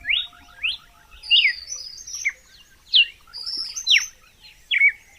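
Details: Red-cowled cardinal song recorded without sound effects: loud downslurred whistles repeated about once a second, with bright rising notes between, over constant high chirping from other birds.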